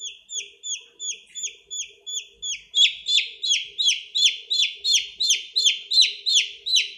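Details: Chicks peeping: a steady run of high, clear, downward-sliding peeps about three per second, growing louder partway through, with a faint low hum behind them.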